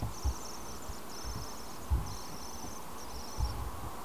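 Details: Last common swift chick of 2014 in a nest box colony near Tubbercurry, Co Sligo, Ireland, almost ready to fledge, 7 August 2014: four high, thin, buzzy trills, each about half a second long, against a loud rumble of passing traffic.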